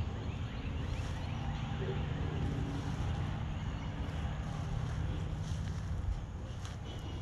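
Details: Wind buffets the microphone over a low engine-like rumble throughout, with no animal calls.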